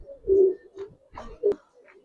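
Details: Budapest highflyer pigeon in its loft uttering a strong low humming coo, then quieter murmurs and a second short loud coo, punctuated by a sharp click.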